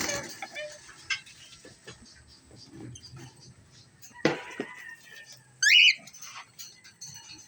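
A cockatiel gives one loud, shrill, warbling call over quiet background clicks and rustling.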